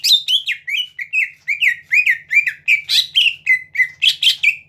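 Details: Greater green leafbird in full song, used to goad rivals into singing: a quick, unbroken series of rising and falling slurred whistles, about three per second, over a faint low hum.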